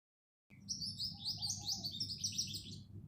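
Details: House sparrows chirping: after half a second of silence, a dense, busy chatter of high, sharp chirps runs continuously with overlapping notes, over a faint low steady hum.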